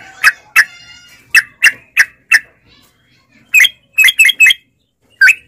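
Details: Sooty-headed bulbul heard in a lure recording meant to prompt caged bulbuls into singing. Scattered sharp, squawky chirps come singly or in quick pairs, with short silent gaps and a tight cluster of three notes near the end.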